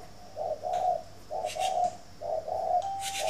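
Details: Spotted dove at a northern Vietnamese dove garden near Vân Hòa, Ba Vì, Hanoi, calling in the morning: three low, breathy phrases of a short lead note and a drawn-out coo, with faint clicks and rustles.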